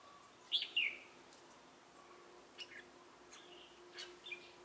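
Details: Decoy red-whiskered bulbul during trapping in Bình Phước, 25 June 2018, singing the laughing 'Ché' song: one loud two-part slurred whistle at the start, followed by faint distant chirps and a low steady hum.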